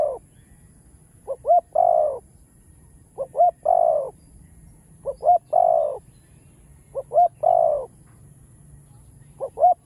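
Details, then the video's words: Spotted dove cooing used to prompt other doves to sing: phrases of two brief clipped notes and a longer descending coo, repeated about every two seconds, over a quiet background with a thin constant high whine. "Tiếng cu gáy Đủ Bài ( Chiêu-Thúc-Gù ) kích bổi nhanh gáy"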